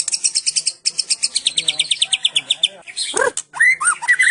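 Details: Cililin-style song of a Medan white-rumped shama, with fast high chirping runs followed by a few loud, lower, rich whistled notes and sharp high accents.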